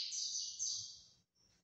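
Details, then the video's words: A Belgian canary, singing a lot outside its cage, gives a dense, rapid rolling trill, high and bright, for about a second, then breaks off and starts a short, softer phrase. "Canário Belga Canta Muito"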